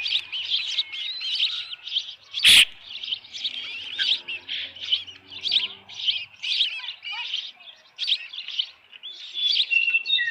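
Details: Osprey at the Dunrovin Ranch nest, 10 June 2018, early evening with a headless fish: a long, insistent chain of shrill chirps, several per second, broken by one sharp bang early on and a faint low drone.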